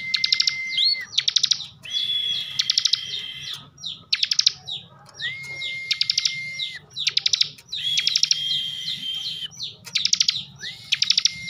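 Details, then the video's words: Kept bar-winged prinia from Slawi, Tegal, Central Java, in lively ngebren song: a flat whistled note, then a higher sustained whistle, both overlaid with dense buzzing, clicking trills, in near-continuous phrases. "kicauan Ciblek bren"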